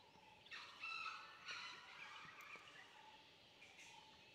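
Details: Grey junglefowl (Gallus sonneratii) in Dang Forest, Gujarat, India, giving a few harsh, broken, staccato bursts over about a second, then a fainter burst, over steady forest background hiss.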